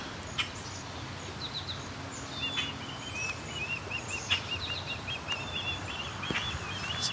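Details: Osprey along the Grand River in Waterloo, Ontario, possibly a young bird, one of two near a nest, calling non-stop: a run of short, high whistled chirps repeated rapidly over several seconds, with steady low background noise.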